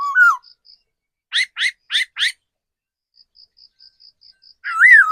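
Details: Old wild-caught decoy laughingthrush opens with a looping whistle, then four quick buzzy chirps, then another swooping whistle. A faint high tone ticks steadily in the pauses.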